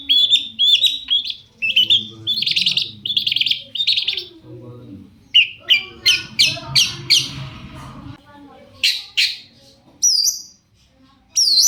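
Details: Long-tailed shrike song played to lure other shrikes: sweet warbled phrases, then a stretch of harsh rapid notes, ending in a few thin high whistles.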